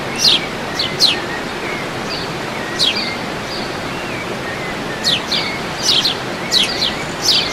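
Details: Wild birds singing outdoors at El Salto, Oratorio Santa Rosa: sharp, high, downward-sweeping chirps in quick bursts of two or three, scattered through the clip over a steady rushing background noise.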